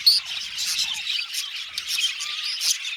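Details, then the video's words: Budgerigars chirping in an aviary colony: a sharp whistled note at the start, then busy overlapping twitters and clicks in pulsing bursts. "Budgies Chirping sound"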